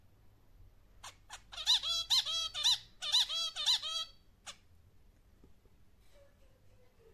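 A zebra finch sings a quick burst of harsh, nasal buzzy notes and stacked squeaky syllables lasting about three seconds, ending with a short click.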